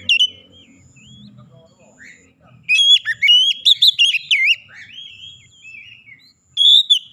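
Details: Oriental magpie-robin lure song to make other birds sing: soft thin whistles at first, then a dense run of loud, sharply slurred whistles, easing into quieter warbling before a final bright phrase.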